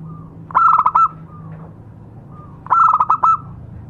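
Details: Local zebra dove lure song: two phrases of fast, stuttering coo notes about two seconds apart. Each phrase opens with a soft drawn-out lead-in note, and a low steady hum runs underneath.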